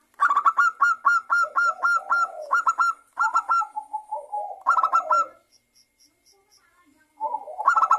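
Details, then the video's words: Energetic lure song of a local zebra dove, played to make other doves sing: a long string of loud, evenly spaced staccato coos, about four per second, mixed with lower rolling notes, then a pause and a fresh burst. "perkutut lokal gacor suara pancingan perkutut agar bunyi"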